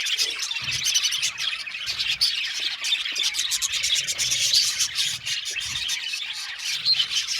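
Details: Aviary budgerigars chirping en masse, rapid high tweets and clicks packed densely, occasional brief louder squeals, with faint low knocks underneath.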